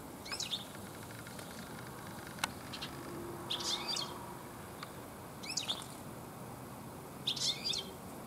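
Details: European goldfinch singing in a garden in the late afternoon, with many goldfinches present; four short bursts of high, twittering, tinkling notes spaced a couple of seconds apart over a quiet background with faint clicks.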